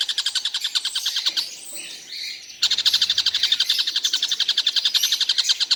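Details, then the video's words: Stork-billed Kingfisher calling all day without a break: rapid harsh notes, a short interruption of softer mixed noise, then the fast pulsing chatter returns at about four notes per second. "Tengkek buto seharian bunyi tidak berhenti"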